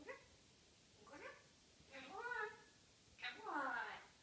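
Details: African grey parrot's morning banter: four short bursts of harmonic, voice-like chatter, some rising and falling in pitch, spaced about a second apart in a quiet room.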